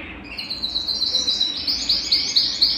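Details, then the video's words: Belgian canary singing to warm up a cold canary: a soft high warble building into loud rhythmic rolling notes repeated about five times a second. "Canario Belga Cantando - Canto de Canário Belga para Esquentar Qualquer Canário Frio"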